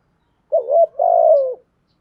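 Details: A single thúc gù coo from a spotted dove. A short, wavering hoot is followed by a longer, slightly trembling note that falls at the end. There is no other sound.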